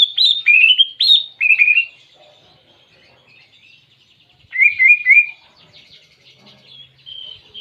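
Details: Greater green leafbird singing canary imitations, loud swooping whistled notes in quick succession, a pause, then a rapid trilled run of rising notes.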